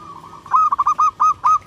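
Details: Zebra dove of a local type, singing to stimulate other zebra doves to answer: a series of short, mellow, low hooting coos, six notes in quick, slightly uneven rhythm.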